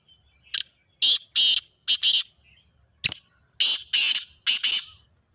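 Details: Grey francolin, sound for getting a mute teetar to call: repeated harsh, shrill bursts in two runs, separated by a sharp click, each burst loud and rasping.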